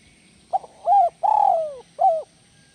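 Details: Mellow cooing phrase of a spotted dove in the 'kuk 1 melambung' style. A quick stutter note, a level coo, a long trembling descending coo, then a single clear closing coo.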